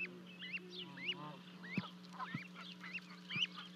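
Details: Two Canada goose goslings at Charlo, Montana, 12 May 2020, leaping from a 30-foot-high nest to join their parents; faint, high, rising whistled peeps repeat about twice a second, with soft taps and a low hum.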